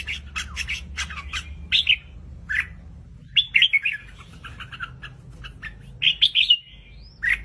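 A red-whiskered bulbul gives bright, bubbly warbled phrases with quick rising and falling notes, repeated in short bursts every second or two; a low hum runs underneath.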